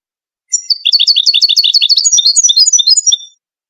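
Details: Moroccan Wedani goldfinch song recorded for tutoring chicks: nearly three seconds of rapid, repeated high chirping notes shifting into twittering runs and finishing with a thin drawn-out whistle.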